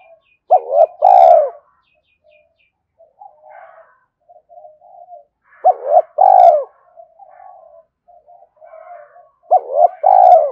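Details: Spotted dove cooing as a trapping lure: three phrases spaced about four seconds apart, each of clipped hoots then a prolonged coo, with low warbling murmurs in between.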